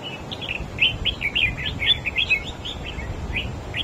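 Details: Wild-caught red-whiskered bulbul singing competitively against another bird and outsinging it, a rapid string of clear whistled chirps with swooping, bubbly notes delivered in a dense, lively run over a faint noisy backdrop.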